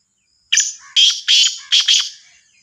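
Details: Kala teetar, a Sindhi black francolin from Sahiwal, gives a sharp rasping phrase of five loud buzzy notes, the last two run close together, against a near-silent background.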